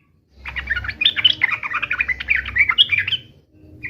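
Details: Yellow-vented bulbul giving an energetic 'uplik uplik' fighting song, meant to make other bulbuls answer at once: a dense run of bubbly, chattering notes bouncing between mid and high pitch for about three seconds, with faint low hum beneath.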